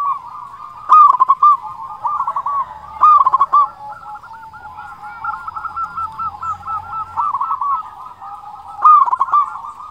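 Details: Big-voiced local zebra dove whose song serves to provoke rival doves and make silent or stressed birds sing. Loud, bubbling cooing phrases run continuously at one pitch, broken every few seconds by bursts of dry clicking notes.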